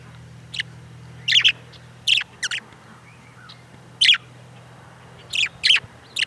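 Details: Outdoors, a pet budgie repeats raspy, chattering chirps, often in twos or threes, about a dozen across six seconds, against a quiet steady low hum.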